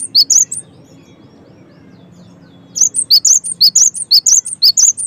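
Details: Cinereous tit in full song, used as a lure to set other tits singing: a short burst of high, sharp three-note chirps, then about two seconds of near quiet with low background hum, then a fast run of repeated chirped phrases.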